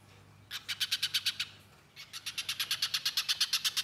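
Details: Little spiderhunter (pijantung pisang) in full, energetic song, used as a tutor recording for cage birds: two long bursts of fast, piercing, high chipping notes separated by a short break, with a low steady hum behind.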